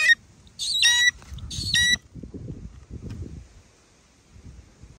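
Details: A hawk-eagle hunting birds gives two loud, shrill, squealing calls about a second apart, followed by low rumbling wind noise.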